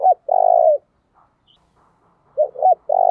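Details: Caged spotted dove decoy giving fight-provoking calls: a long level hoot, a pause with faint ticks, then two short rising-falling coos leading into another sustained hoot.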